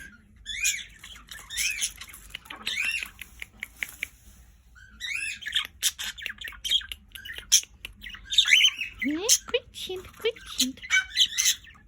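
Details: Pet budgerigars (Melopsittacus undulatus) in Brazil chatter in a fast, scratchy warble of high squeaks, clicks and chirps while their owner speaks to them now and then.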